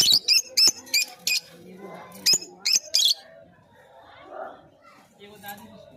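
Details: Lovebird giving a burst of shrill, high chirps in quick succession, a pause, then three more sharp chirps, over a low murmur of background voices and room noise that continues after the calls stop.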